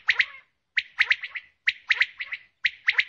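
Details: A female common quail repeats rapid strings of sharp, raspy notes, two to four per burst, with bursts spaced just under a second apart and nothing else audible.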